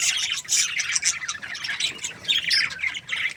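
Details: Happy breeding pair of budgerigars chirping: dense, scratchy, high warbling chatter with quick squawky notes running continuously, dipping briefly near the middle and end.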